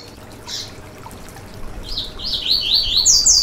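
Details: High seedeater song used to encourage a caged bird to sing: a lone chip, then an accelerating, rising series of sweet slurred whistles growing louder to the end, over faint hiss.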